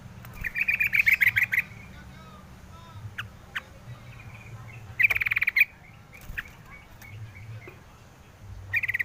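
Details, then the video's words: Yellow-vented bulbul chattering in short rattling bursts of rapid, clipped notes, repeated three times with brief single chips and soft rising whistles in between. "suara crucukan ngalas"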